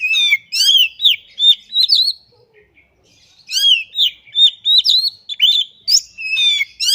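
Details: Kacer, or Oriental magpie-robin, singing energetically in 'gacor ngobra' style with its learned repertoire: two dense phrases of piercing whistles and buzzy rattles separated by a brief silence.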